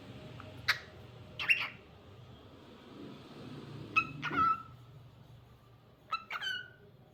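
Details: Cockatiel singing indoors: short whistled and squeaky notes in pairs, including a level sustained whistle and falling slurred notes, separated by quiet pauses, over a low background hum.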